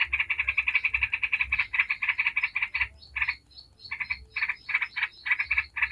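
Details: Yellow-vented bulbul in fast 'ngebren' song used as a lure for other bulbuls: a long rapid run of bubbling notes, a brief pause, then choppier bursts of the same chatter.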